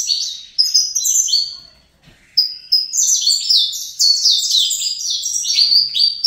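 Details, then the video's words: Young captive-bred Saffron Finch singing in fibra style: rapid bursts of bright, descending chirped notes, high and metallic, after a short pause near two seconds, delivered in dense tumbling phrases. "Canto Canário da Terra Fibra CCM"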